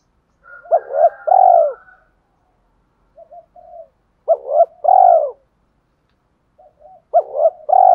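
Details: Spotted dove cooing to excite and challenge caged doves: three separate bursts, each a sharp double coo followed by a broader vibrating coo, with soft low murmurs in the pauses and a faint higher tone at the start.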